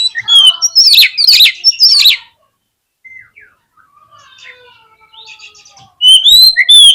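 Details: Oriental magpie-robin song meant to provoke a fight and tail-opening in lazy birds: loud harsh rasping bursts for two seconds, a quiet stretch of soft whistles and chatter, then another loud harsh phrase.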